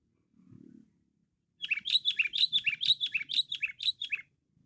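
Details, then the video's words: A sooty-headed bulbul gives a loud, lively burst of bright, bubbly chirping notes, tumbling quickly for about three seconds after a soft low thump. "Kutilang Cengkram Gacor"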